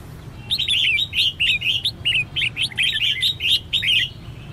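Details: Red-whiskered bulbul, a female calling to stimulate males to sing: a continuous rapid string of loud, bright, slurred chirps and twisting whistled notes, closely spaced for about four seconds, over faint low hum.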